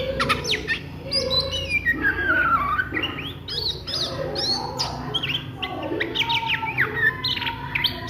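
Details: Midday Oriental magpie-robin song in the ngriwik style: a long descending warble around the middle, then dense chattering bursts of sharp upslurred whistles, with a low droning background.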